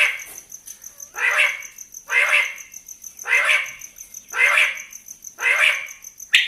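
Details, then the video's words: A quail delivers five loud rasping call bursts spaced roughly a second apart, each short and clipped, with a continuous high pulsing drone in the background. "Pake Batair ki awaz"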